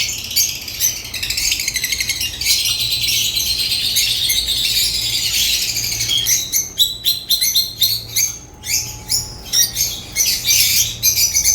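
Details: African lovebirds singing and chirping: continuous high, rapid twittering chatter in the first half, giving way to loud, clipped chirps and squeaks in irregular bursts, over a faint low hum.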